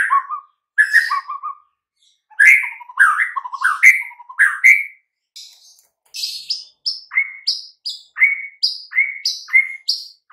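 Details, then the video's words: White-rumped shama song used as a master to stir mute birds: paired rich whistled notes repeated, then a regular run of high short calls alternating with lower ones about twice a second. "Nggak butuh waktu lama Murai Batu BISU & LOYO langsung NYAUT Seketika dengan MASTERAN Ini"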